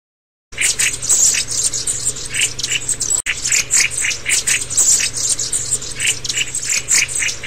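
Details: Black-throated bushtits (Aegithalos concinnus) chatter in a busy stream of thin, high ticking and twittering notes, several birds overlapping without pause, over a faint low hum.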